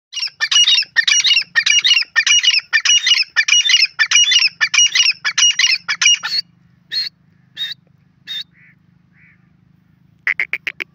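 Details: Grey francolin calling: loud, harsh, rhythmic notes repeated about one and a half times a second for six seconds, then a few spaced shorter notes, a pause, and a final rapid burst, over a faint low hum.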